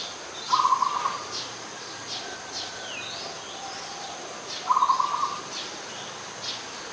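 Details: Zebra dove, an adult, in Ubon Ratchathani, Thailand, 21 September 2022, uttering two brief bursts of fast, rattling coo notes about four seconds apart, with faint chirps from other birds in between.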